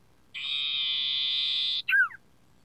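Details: Sooty-headed bulbul, recorded to help train captive songbirds: a steady harsh buzz of about one and a half seconds, followed at once by a short downward-curving whistled flourish.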